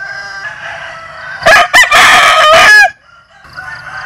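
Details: Vietnamese or American Sil rooster crowing: one loud, broken crow of several rough syllables ending in a drawn-out note, with quieter background crowing from other birds before and after.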